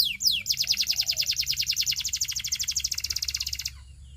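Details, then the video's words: Belgian canary singing to attract other canaries: a fast, even trill of sharp downslurred high notes, about fifteen per second, pouring out for over three seconds before stopping abruptly. "A Special Canary to Seduce All The Canaries - The Belgian Singing Canary"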